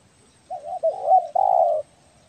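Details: Belah dada spotted dove from Kepri, Indonesia, calling actively for luring; one continuous coo phrase of wavering, slightly rolling notes ending in a long, full, steady hoot.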